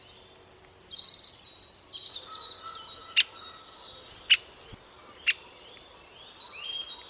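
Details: Great spotted woodpecker at its nest giving three sharp, loud single 'kik' calls about a second apart, with thin whistled notes from other birds in the background.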